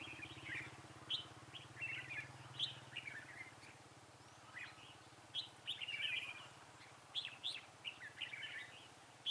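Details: Red-whiskered bulbul singing during trapping with a decoy bird on 19 December 2016: short bright chirped and warbled phrases repeated in bursts over a steady low hum.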